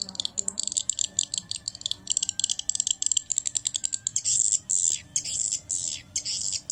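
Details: Swiftlet lure sound played to attract swiftlets: rapid high chirps and twitters repeated several times a second, later becoming longer buzzy trills with short gaps.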